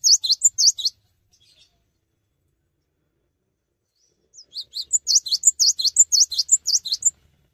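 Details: A Cinereous tit sings without hopping about, a recording meant to set other tits singing: bright, high, rapidly repeated whistled phrases, a short burst, a three-second pause, then a longer run of about ten notes.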